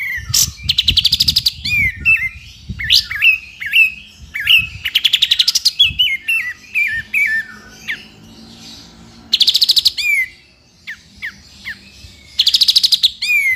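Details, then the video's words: Sooty-headed bulbul singing continuously for training songbirds: loud rising rattling trills recur several times, interspersed with descending whistled slurs and stepped chirps, with a brief quiet stretch in the middle. "KAPAS TEMBAK GACOR FULL NGEPIK BESET"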